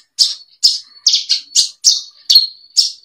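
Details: Training song of a bushlark: bright high chirps at a quick pace, roughly two per second, with a thin sustained whistle running between them.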